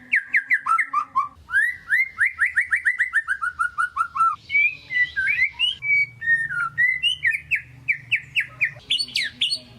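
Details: White-rumped shama singing continuously in 'gacor' style, used to rouse lazy birds: fast repeated whistled notes in rhythmic runs, switching among several trill patterns with brief scratchy chatter.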